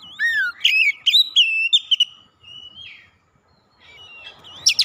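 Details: Rival-provoking song of an oriental magpie-robin: a rapid run of clear whistles and downward slurs, then softer drawn-out whistled notes and a brief quiet gap before a final loud burst.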